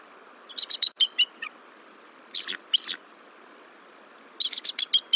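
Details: Bald eagles at the Decorah nest on 17 March 2023, the female startling the incubating male at a shift change before egg rolling; thin, squeaky chitters come in three rapid bursts over steady background hiss.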